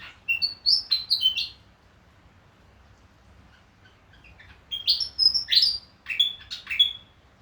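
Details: A Willie wagtail in Far North Queensland, Australia, gives two bursts of bright, chattering whistled notes, quick and jumbled, high-pitched, with a quiet pause between.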